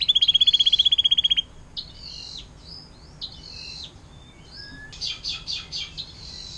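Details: Canary singing its 'air mancuran' tutor song: a loud fast high trill for over a second, followed by softer buzzy phrases and a burst of quick chirping notes.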